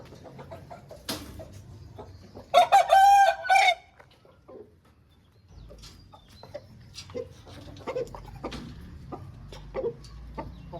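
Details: Crowing Aseel rooster: a single rough, drawn-out crow lasting just over a second, followed by soft clucks, taps and low background rumble.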